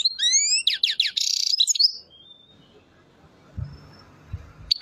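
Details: European goldfinch song from Chouala in the Mendes district of Relizane province: fast, bright twittering with rising slurred notes and buzzy trills for about two seconds, then near silence with faint low thumps before a last high chirp.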